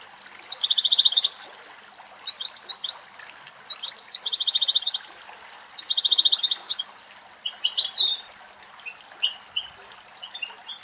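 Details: Adult female European goldfinch bathing at a natural spring pool in a shaded Greek forest; a run of bright twittering, tinkling phrases with fast buzzy trills, repeating across the clip, over a faint water trickle.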